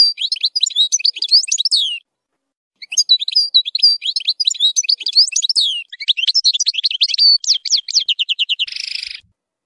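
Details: European goldfinch pouring out a fast, twittering song full of strong nahrat, made for young goldfinches to learn from: long sweeping high phrases, a run of repeated descending notes, then a harsh buzzy ending.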